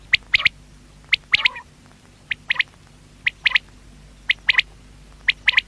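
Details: Quail (batair) voice: bright triple-pulsed notes repeating about every second in a steady rhythm, one followed by a short trailing rough note, over light hum.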